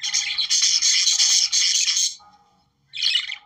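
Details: Budgerigars singing to promote breeding: two seconds of intense scratchy chattering warble, then a lull and a shorter burst of squeaky chirps.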